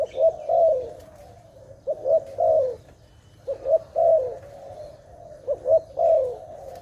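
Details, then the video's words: Dove linked to bird trapping, cooing in repeated phrases of quick double notes and a longer descending coo, with pauses between phrases and a quiet hum beneath. "Sound of dove"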